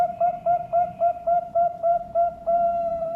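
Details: A competition-quality zebra dove, a ring-bred bird from a farm in Sidoarjo, East Java, Indonesia, sings steady, mellow, whistled cooing notes, about three or four per second, in an even pulsing run.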